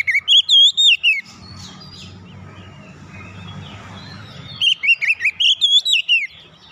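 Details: Oriental magpie-robin singing, a recording meant to make silent magpie-robins sing again; a loud series of sweet slurred whistles opens, a low rumbling background follows, then a long rapid run of whistled notes.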